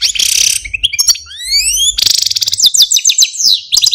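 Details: Male Algerian Parva goldfinch, a caged pet, produces a buzzy burst, a run of climbing slurred whistles, then a loud dense stretch of fast jingling trills.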